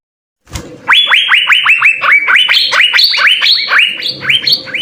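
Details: Energetic Asian fairy-bluebird gacor song with full isian fills: a soft thump, then a fast unbroken chain of loud rising whistled notes, alternating lower and higher steps, over faint low background rumble.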